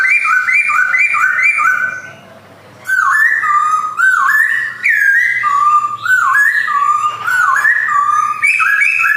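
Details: Male white-cheeked black-throated laughingthrush singing in captivity, Jogjakarta, 2021: loud, ringing two-note whistles repeated in rapid bouncing patterns, a short pause, then a longer series of stepping, slurred whistles.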